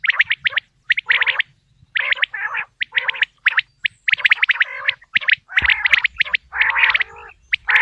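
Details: Natural quail sound used for hunting: fast, sharp staccato notes mixed with gargling, harmonic-rich buzzes in near-continuous bouts, with a faint low rumble in the second half.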